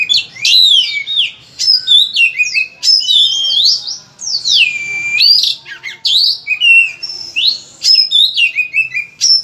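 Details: Vigorous Oriental magpie-robin master song, loud and crammed with varied phrases, played to prompt other magpie-robins into song: continuous sequence of bright whistles, slurred notes and chattering runs.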